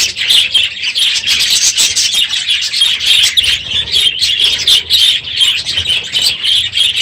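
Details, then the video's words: Aviary budgerigars at the end of the breeding season, loud in the morning: an unbroken wall of high chirping and warbling from many birds calling at once. "My Budgies Today - NOISY birds this morning!"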